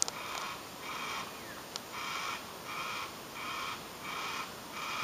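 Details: A Yellow-tailed Black Cockatoo chick in a tree with its two parents in thick bush begs for food with a steady run of harsh, wheezy calls, about seven in five seconds, over faint hiss.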